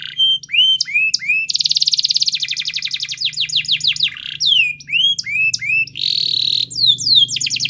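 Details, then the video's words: Canary singing to prompt a lazy canary: varied phrases of looping whistles, a rapid buzzy roll, descending note series and a sustained buzzy note. "Suara Kenari Gacor Yang Malas Bunyi Awas Kaget Ikut Bunyi || Pancingan Kenari Agar Bunyi"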